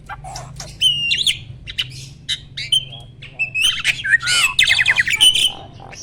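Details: Adult male Asian pied starling singing during a pumping display at the height of breeding readiness: scattered clear whistles and rasping notes building into a loud, rapid stream of squawks and warbled rattles.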